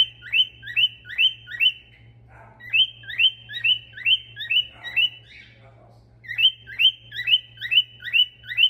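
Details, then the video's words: Male stone-curlew singing and whistling: quick series of short, clear rising whistles, about four in a row, repeated in bursts with brief pauses between groups; a steady low hum underneath. "كروان ذكر يغرد ويصفر"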